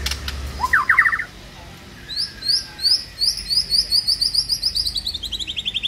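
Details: Shama lure song for morning use, meant to draw a white-rumped shama and start it singing: a brief scratchy burst, a pause, then an accelerating sequence of sharp high whistled notes repeated many times.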